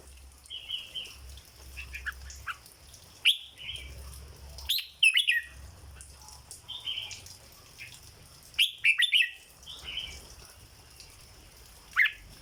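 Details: Caged red-whiskered bulbul giving repeated 'dok' song phrases, each a short cluster of loud, liquid whistles about every four seconds, with soft chattering notes between and a faint low hum throughout.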